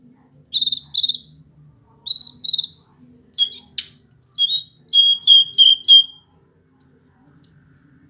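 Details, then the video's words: Hill blue flycatcher singing: paired high chirpy bursts, then a run of quick sharp notes and short descending whistled slurs, ending with two thin high whistles; a faint low hum underneath. "burung sikatan ninon/burung sikatan biru muda ngoceh"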